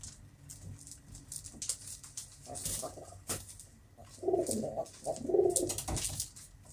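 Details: Pet pigeon's soft, low burbling coos come in the second half as two short phrases, after scattered tapping and rustling sounds.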